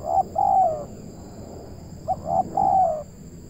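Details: Spotted dove (local tekukur) in Indonesia, heard during trapping. Two low cooing phrases about two seconds apart, clipped notes then a drawn-out falling coo, set against a rumbling low background noise and a faint high hum.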